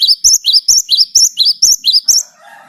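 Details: Energetic Great tit (Parus major) song, meant as a lure to make other birds sing: a rapid string of high, clipped, rising double notes, about four each second, ending with a softer murmur of lower sound.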